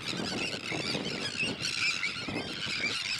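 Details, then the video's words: Harsh, rasping calls from a crowd of Sandwich terns pour out without pause, layered grating notes with a few sharper squeals, and a faint low rumble beneath. "Grote stern"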